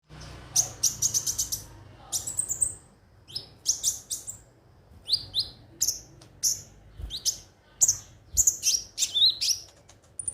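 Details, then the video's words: Konin (kolibri ninja) song used as a lure to get birds singing daily: rapid bursts of very high, sharp chirps and thin tinkling notes, clustered and repeated every half second or so, with a quiet background. "pancingan suara burung KONIN agar rajin bunyi tiap hari"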